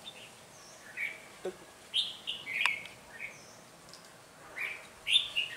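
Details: Red-whiskered bulbul decoy bird singing in a fight to lure wild bulbuls into a trap on a cold windy day, 17 February 2020; bright warbled phrases of several notes repeated every second or two, with a sharp click and men talking nearby.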